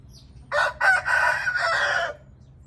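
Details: Crow of an Indian red junglefowl, loud and hoarse: two quick staccato syllables, then a longer rasping phrase lasting about a second before ending sharply, with faint low hum behind.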